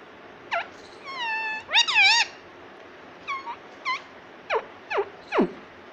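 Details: Pet rose-ringed parakeet that speaks 'mummy' and 'papa': a steady held tone and a loud wobbling syllable, followed by short rising chirps and several quick downward-slurred squeaks.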